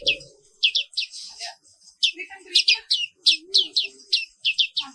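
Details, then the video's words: Black-capped white-eye (Zosterops atricapilla), an Indonesian endemic kept as a cage bird, singing in the morning: short high chirpy phrases repeated every half second or so, with brief low murmurs in the background. "Suara Terapi Pagi Pleci Papua Wiklus"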